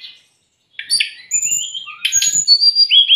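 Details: After a half-second silence, a brown-chested jungle flycatcher delivers sliding whistles and rapid chattered notes, ending in a steady high whistle. The song is used to tutor and provoke raw or stressed cage birds.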